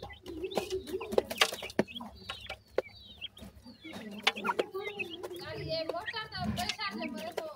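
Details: Young grey francolins uttering thin, wavering high chirps, becoming a dense overlapping chorus of trilled peeps toward the end, mixed with loud clicks, tapping and a low hum.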